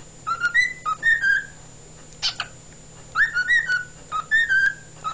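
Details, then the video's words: Singing pet cockatiel recorded 16 February 2011, two runs of bouncy whistled notes stepping up and down, separated by a single harsh scratchy note, with a low steady hum in the background. "Chikorita Singing"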